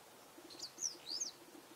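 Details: A Japanese Wagtail singing actively at a pond as the weather warmed, 8 March 2022, in Japan, gives a quick burst of three high, sweeping twittered notes within about a second, over a faint low pulsing hum.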